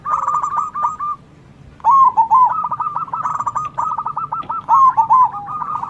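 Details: Loud-voiced zebra dove singing 'manggung' and calling back and forth with local doves; long rolling runs of mellow cooing notes, a pause, then another extended trilled coo sequence.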